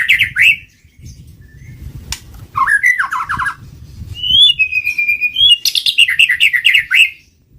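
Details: White-rumped shama singing for use as a trapping lure: loud varied phrases mixing steep slurred notes, a sustained whistle and quick repeated chirps, over low background rumble.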